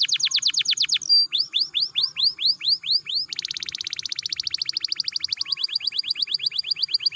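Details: Canary song used to encourage other canaries to sing: loud varied tours of repeated notes, from fast downward sweeps to arched whistles, then a long rapid rattling trill.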